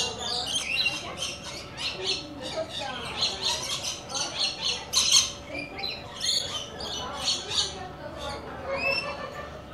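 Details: Dense, rapid run of short, scratchy squawks and chatter from visiting coconut lorikeets. Faint voices can be heard underneath.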